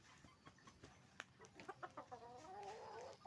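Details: Roosters and hens at a chicken farm making noise: a run of short, sharp clucks quickens in the middle, then a drawn-out, wavering squawk holds for about a second, over a steady barn hum.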